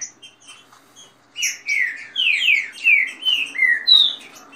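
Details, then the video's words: Green-winged saltators kept as caged birds, singing the quick rain song against rivals with female calls. Faint high chirps first, then from mid-passage a run of strong, rich descending whistles, ending on a higher sliding note. "trinca ferro canto rápido com macheado de fêmea e canto de chuva"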